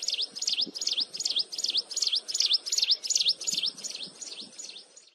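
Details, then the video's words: Mountain wren, close by, keeps up a continuous shrill song, a fast regular string of high dipping-then-rising notes about two and a half per second, fading slightly toward the end, with soft low background noise. "Cận Cảnh Tiếng Hót Liên Hồi Chói Tai Của Chim Hồng Tước Núi"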